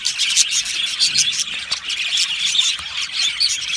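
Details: Happy singing and chirping of an Australian budgie colony in an aviary, with dense high twitter, squeals and sharp chirps crowding together.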